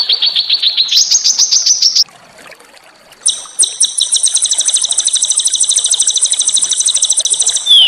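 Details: A fast ticking trill steps up in pitch, then goes quiet. A long, high, rattling trill with layered tones follows and falls at the end. Small songbirds on a training recording meant to rouse white-rumped shama.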